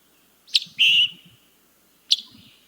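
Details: Scarlet Tanager, a summer migrant nesting in North Carolina, giving its chick-burr call: a sharp high chick followed by a longer, buzzy burr, then another chick, with faint low rustling beneath.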